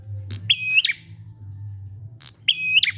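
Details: Prinia singing used as a lure for other prinias: two phrases, each a click then a high steady whistle ending in a quick downward flick, about two seconds apart, over a low hum.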